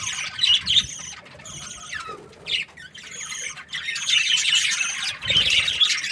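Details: Budgerigars chirping in bursts of bright, scratchy warbles with short quieter gaps between them, high twittering notes layered on top of one another.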